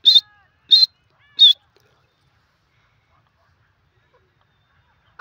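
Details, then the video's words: Desi grey francolin (teetar) calling: three sharp, high, slightly buzzy notes about two-thirds of a second apart, then silence. "desi teetar ki awaz"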